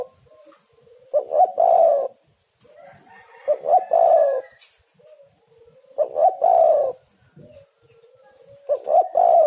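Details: Tekukur (spotted dove) calling as a lure for other birds: repeated cooing phrases, each a quiet rising lead-in followed by a throaty, loud double coo, roughly every two and a half seconds.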